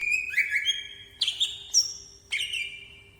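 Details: Greater green leafbird, kept bird, flicking its wings: clear whistled notes around mid-high pitch, a long level whistle followed by two sharp rising phrases with downslurred tails, steady faint hum underneath.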